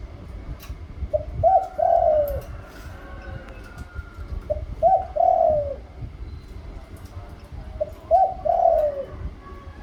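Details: Spotted dove song in liu tan style, middle voice rising: three similar cooing phrases roughly every three and a half seconds, each a brief soft note followed by longer mellow coos, with low background noise.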